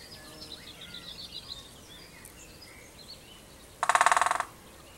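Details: A male great spotted woodpecker drums on an ancient oak in the UK breeding season, proclaiming territory: one fast, fading roll of about fifteen blows in under a second, other birds faintly chirping beforehand.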